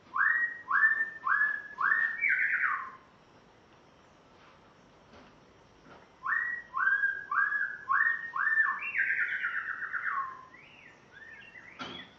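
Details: A caged spotted morning-thrush from Tanzania, on its first day at home, sings two bursts of quickly repeated falling whistles, about two per second, ending in a rolling, warbled run and a sharp click.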